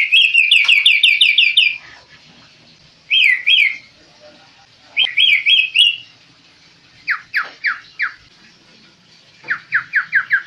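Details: Tame, lively singing kaso-kaso bird: bursts of rapid, bright chirping notes in quick series, each run lasting up to about two seconds, separated by short pauses, with quieter sharp downslurred notes later.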